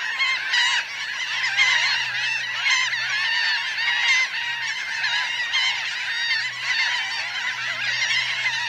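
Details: Close recording of a Laughing gull flock of about 1000 birds, grounded and flying, with nearly nine seconds of unbroken, overlapping nasal cries, many short bent notes, and a steady low hum underneath.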